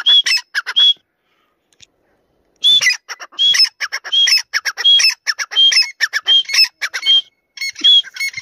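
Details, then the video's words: Grey francolin (teetar), Dakni or Irani type, calling in loud repeated phrases: harsh rapid pulses mixed with clear high whistled notes, rhythmic bursts after a short pause, nothing else heard. "Dakni vs Irani Teetar Part 2 | Tetar voice Compilation"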